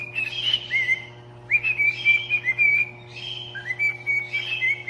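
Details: Pet parrot singing: clear whistled notes near the upper-middle range, short rising and level phrases in bursts separated by brief pauses, over a steady low electrical hum indoors.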